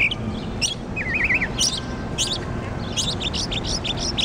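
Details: Mockingbird in Jackson, Mississippi, singing varied phrases: a warbling wavy whistle, sharp high zips, and a rapid run of repeated chirps near the end, against low background noise.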